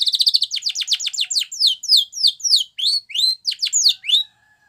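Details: Singing canary used as a training song, pouring out quick repeated downward-swept whistles about three or four per second, starting as a fast trill then slowing into separate ringing slurs before falling silent.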